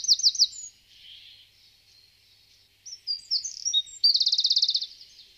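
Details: Eurasian wren: high, thin calls in rapid series, a few sharp notes at first, then varied twittering and a fast, evenly spaced rattling trill at the end.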